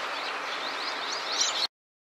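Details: A Eurasian tree sparrow scratching itself utters a brief series of thin, rising high chirps, several in quick succession, ending abruptly.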